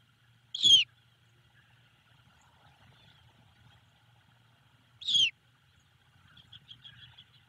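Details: A Great Horned Owl owlet gives two brief, high, down-slurred cheeps about four seconds apart, then faint chittering over a low steady hum, greeting its mother as she returns to the Savannah nest from her evening break (1 March 2022, around 18:53).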